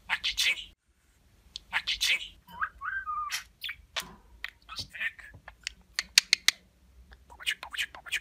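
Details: Talking budgerigar kept as a pet, mimicking human words and kisses: scratchy word-like bursts, a short wavering whistled phrase, then quick sharp clicks and chirps in an uneven chattering stream.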